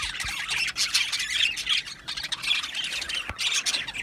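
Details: Budgerigars in an aviary colony squawking and chirping, a constant high scratchy chatter with a few clearer whistled notes and a couple of soft knocks.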